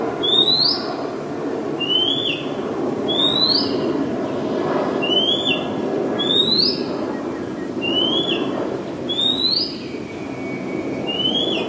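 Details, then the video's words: A singing Oriental magpie-robin, a very common resident of Ubon Ratchathani, Thailand, recorded 2 July 2022. It gives about ten bright upslurred whistles, repeated roughly every second, over constant low-pitched background noise. "นกกางเขนบ้าน Oriental Magpie Robin (singing)"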